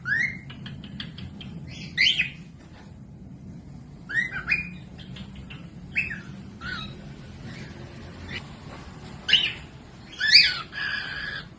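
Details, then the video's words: Cockatiel singing, used to train lazy or baby birds to copy its voice: short rising whistled notes and squawky chirps in separate bursts every second or two, with soft hum between phrases. "Cocok buat pemasteran falk yang malas bunyi langsung nyaut pemasteran cockatiels"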